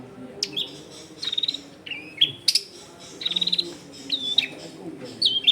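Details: Long-tailed shrike in energetic lure song for wild-caught young shrikes, in a crowded residential setting: slurred descending whistles mixed with short rapid buzzy trills and sharp high clicks, over low background noise.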